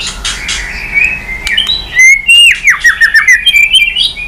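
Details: White-rumped shama in strong song, switching voices, varied sliding whistles then a run of quick descending slurred notes.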